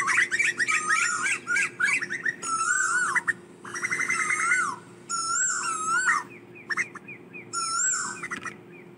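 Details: Asian koel calling the flock, switching between quick chattering bursts of short notes and drawn-out swooping whistles, repeated several times over nine seconds above a steady low hum.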